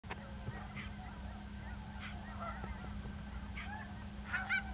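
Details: Cackling goose at Ridgefield, Washington, on 10 December 2012, behaving oddly as if ill; distant flock honks, short nasal yelps spaced about a second apart over steady low hum and wind.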